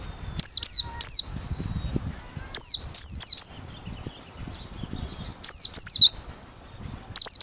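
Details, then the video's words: An open-beaked Merapi white-eye, sung as a lure, delivers bursts of two to four very high notes, each sweeping sharply down, in short clusters separated by one- to two-second pauses. "Pleci Merapi Ngalas Losssdol,cocok buat pikat~pancingan || Buka Paruh"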